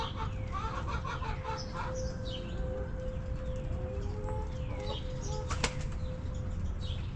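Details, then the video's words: Backyard chickens in their coop give soft clucking sounds, short harmonic notes bunched in the first two seconds, while wild birds chirp with quick falling notes throughout over a steady low hum. "Rooster Crowing! Hens Clucking!"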